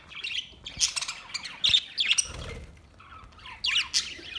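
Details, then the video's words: Green parrot calls: short, grating squawks and rising chirps in scattered bursts with brief pauses between them, against a quiet background. "Very nice all parrot sounds Green parrot"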